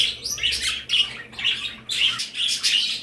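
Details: Indoor pet birds in a bird room repeat sharp, high tweeting bursts about twice a second, irregular in spacing, over a steady low room hum.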